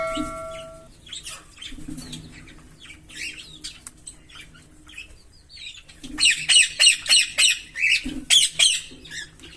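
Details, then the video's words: Green Fischer's lovebird pair, kept birds, singing: scattered high chirps and squeaky notes, then a fast bright run of about nine sharp repeated chips near the end; a brief steady tone at the start. "Lovebird Singing & Chirping Sounds"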